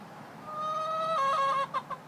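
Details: A hen that has made this crying-like noise for three days: one long, drawn-out, steady mid-pitched wail that steps slightly lower partway, followed by two short clipped notes, with a faint background hiss.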